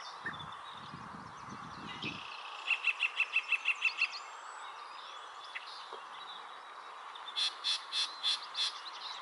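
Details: Yellow-breasted chat singing at Springbrook Prairie, Naperville, Illinois, in May 2021: a quick series of about eight evenly spaced mid-pitched notes, then a row of higher, louder notes. Low rumbling bursts open the recording.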